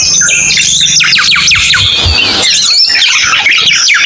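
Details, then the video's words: Cucak keling song, a busy, loud stream of whistled and chattering notes with fast downward sweeps and high trills, layered densely throughout. "MP3 BURUNG CUCAK KELING"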